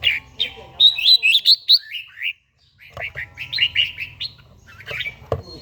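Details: A mature red-whiskered bulbul with a wild-type voice sings in morning training, Gia Lai; a series of clear, rhythmic whistled notes, about a dozen per phrase, in two phrases split by a short silence.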